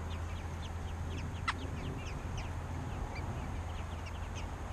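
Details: Robin chicks being fed by their parents, calling in a dense run of thin, high, downslurred chirps layered over one another, with a strong low rumbling background throughout.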